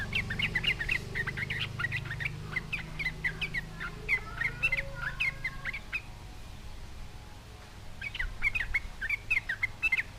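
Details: Sooty-headed bulbul in energetic song, challenging other bulbuls to reply; dense chattering chirps for six seconds, a quiet pause, then another short chattering burst.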